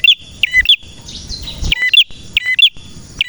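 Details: Rapid run of male prenjak chirps: high sharp twitters paired with lower notes, repeated in quick succession, a softer wavering whistle in between, over light background noise.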